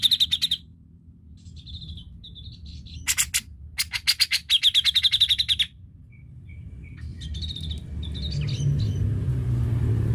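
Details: Song of a cucak jenggot, meant to spur another bird to sing: sharp rapid chirp bursts alternating with short whistled phrases, and a rising low rumble of background noise toward the end.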